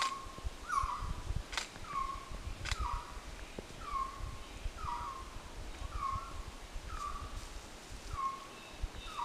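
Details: Wild resplendent quetzal in the Altos de Chiapas repeats a soft, downslurred whistle roughly every second, about eight times in a row. Scattered clicks and steady low background noise accompany the calls.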